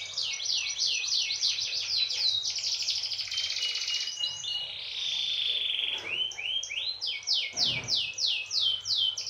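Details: Canary song used to prompt other canaries to sing: continuous fast trills of descending chirps, rolling phrases and a sustained buzzy note midway, delivered at about three notes per second with steady background hiss.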